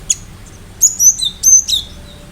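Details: Cinereous tit giving sharp, very high, thin notes with quick downward slurs, in short clusters separated by brief pauses.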